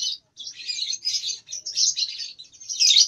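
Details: Juvenile lovebird, around two months, practising ngekek in nyeklek style: a near-continuous stream of dense, rasping high chatter lasting about three seconds.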